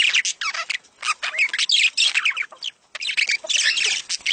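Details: Budgerigars giving mating calls meant to stimulate breeding: dense, scratchy warbling and chirps in quick bursts, separated by short pauses near one second and again around two and a half seconds.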